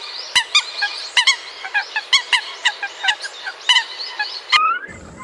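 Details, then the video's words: American coots calling, a dense run of short nasal honking notes in quick succession, several birds overlapping, ending in a rising squeal and a brief low rumble. "Coot Bird Sound || American Coot Sound For Hunting || Bird Call"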